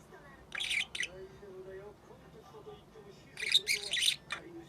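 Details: Six-month-old female budgerigar practising calls and talking indoors: two bursts of harsh, buzzy squawks separated by a quieter warbling, speech-like murmur, ending in a short rising chirp.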